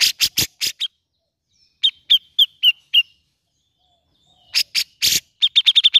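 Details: Grey-cheeked bulbul, played to encourage a bird that will not sing. Harsh rasping notes alternate with evenly spaced, clipped chirps about a third of a second apart. The clip ends with a fast chirping run.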